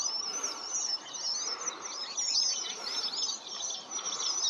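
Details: A mass of red avadavats chirping together, high thin tweets and quick up-and-down whistles tumbling over one another in a steady chorus, dipping briefly near the first and fourth seconds, over soft background hiss.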